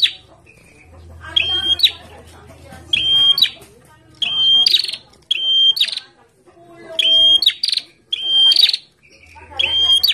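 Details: Bar-winged prinia kept in a cage and set out in the sun, singing busily: a steady run of seven or so shrill, clipped, ringing phrases with buzzy tails, spaced roughly every one to one and a half seconds, over a low murmur of background noise.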